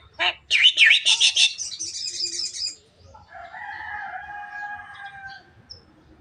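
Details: Javan myna, said to be talking until it coughs: a fast burst of loud, harsh, rasping notes for about two seconds, then a quieter, drawn-out nasal, wavering tone; little background noise.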